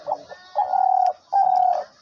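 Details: Caged decoy hunting dove, offered for sale, calling while its beak is held shut: a short low note, then two long steady hollow coos of about half a second each, indoors.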